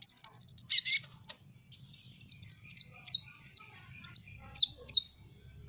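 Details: Van Hasselt's sunbird, a kept songbird, masteran tutor recording: a fast high trill opens, then a steady series of thin downslurred chirps, roughly two per second, with a faint low murmur beneath.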